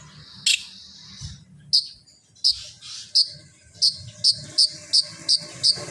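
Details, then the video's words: Long-tailed shrike song meant to make other shrikes sing: one buzzy burst, then bright, high, clipped notes repeated about twice a second, growing steadier toward the end. "Terbukti ampuh... cendet lain bakal langsung bunyi || masteran cendet"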